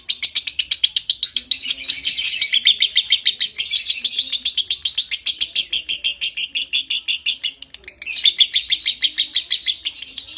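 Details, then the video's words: Lovebird long ngekek trill in konslet style, meant to bring on breeding condition; continuous rapid high chattering with a brief break near eight seconds before it resumes. "Suara Masteran Burung LOVEBIRD Konslet Ngekek PANJANG Merangsang Birahi"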